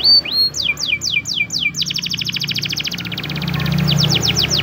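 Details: Spanish Timbrado canary training song in the morning, with a string of descending whistled notes followed by a rapid metallic trill and fast swept phrases over a low hum.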